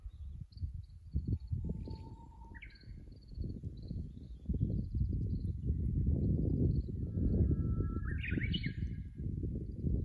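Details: Japanese bush warbler on 24 April 2025, recorded by a fixed camera at the tank road in Kusu, Japan. It sings twice: a long, level whistle breaks into a sharp, rising, warbled ending. Heavy low rumble builds underneath, and faint high chirps are heard.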